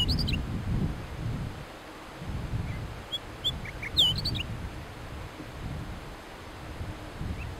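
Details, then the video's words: A rufous fieldwren gives a few brief, high, looping whistled notes in scattered bursts, over a steady low rumble of wind. "kicauan rufous fieldwren"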